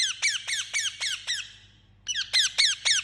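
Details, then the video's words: Talking pet Indian ringneck parakeet chirping rapidly: a run of six shrill, down-sweeping squawks, a short gap, then four more, loud and evenly spaced over a soft background hum. "Talking Parrot Chirping Sound"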